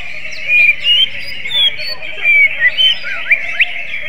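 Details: Greater green leafbird with a kacer-flavoured song: separate clear whistled phrases rising and falling at irregular gaps, then steep upward sweeps and a final sharp note above a constant busy chatter.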